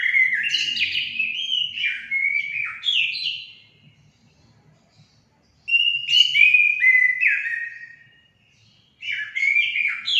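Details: Orange-headed thrush song played to stimulate pet birds to sing: two rich phrases of clear whistled notes stepping down in pitch, separated by a pause of about two seconds, a third phrase starting at the end.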